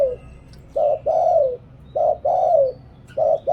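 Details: Liw Tan style cooing from a Thai spotted dove used for luring wild doves. A short hoot and a long, gently descending coo alternate at a steady, unhurried pace.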